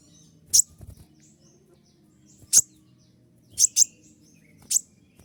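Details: Kolibri ninja sunbird 'tembakan' song for training: loud, abrupt high-pitched chips, singly and as a quick doubled pair, separated by brief pauses, with a low steady hum underneath.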